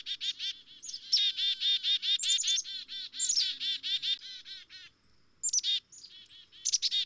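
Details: Black-capped chickadee calling in a rapid, chattering run of buzzy, harsh 'dee' notes, with thin high chips slipped in between, a short pause near five seconds, then more bursts of scratchy notes.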